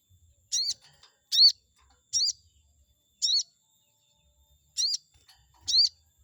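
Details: Chestnut-backed scimitar babbler song used as a lure to make a rival react: six brief, bright, high notes, each a quick rising-then-falling whistle, repeated roughly once a second with near silence between.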